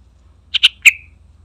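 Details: Yellow-vented bulbul (trucukan) in a lively calling burst: three loud, short, bubbly notes in quick succession, the last trailing into a brief whistled tail, over a quiet low hum.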